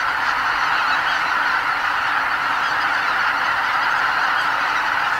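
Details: Greater white-fronted geese stopping over at Lake Miyajimanuma, Hokkaido, on spring migration leave their roost before dawn; a massed, continuous honking chorus from a very large flock.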